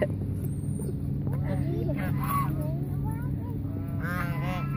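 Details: Among people calling and talking at Mueller Lake park, Austin, Texas, hungry approaching geese give bursts of stacked nasal honks, with a low hum throughout.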